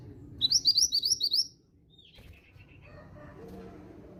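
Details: Eight clipped, rising chirps from a female grey bushchat, delivered rapidly in about one second before quiet background hum; the calls serve to trigger singing in young males.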